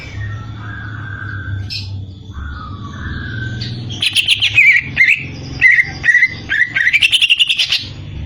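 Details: Greater green leafbird: soft whistles over a steady low hum in the first half, then a loud, rapid string of bright chirping and trilled notes, repeated in quick bursts.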